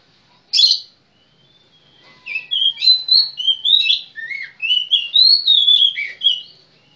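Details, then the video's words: Kacer, or magpie-robin, opens with one harsh chirp, then after a pause delivers a long run of sweet, twisting whistles and warbles, each note bending and dropping in rapid succession. "suara burung kacer mantap cur"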